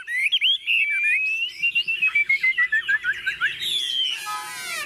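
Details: Tame caged Chinese hwamei set on a table, singing confidently: a loud run of clear whistled notes sliding downward, repeated quickly several times a second, ending in a harsh buzzy burst.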